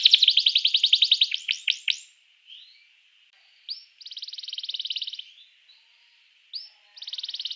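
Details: Canary singing to provoke other canaries into song: a fast rolling trill followed by sharp downswept notes, brief pauses, then buzzy rapid trills with upswept starts, all high-pitched.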